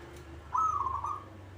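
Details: Caged local zebra dove singing eagerly: one clear coo phrase with a bright opening note, then a quick, bubbling series of wavering pulses that fades out. Faint low hum underneath.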